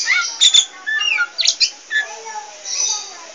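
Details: Pied 'poci' Oriental magpie-robin in chatty full song: a quick jumble of short whistled sweeps, rising and falling slurs and harsh scratchy notes, with brief pauses between phrases.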